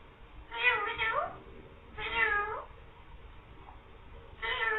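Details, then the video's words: Green parrot talking and imitating a meow ("mian mithu meow"); three rich harmonic phrases about a second apart, each sliding downward then curling up, with quiet gaps between. "beautiful green parrot talking saying mian mithu meow"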